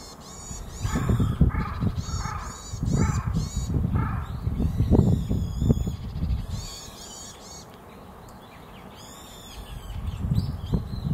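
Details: Varied tit (Sittiparus varius), call.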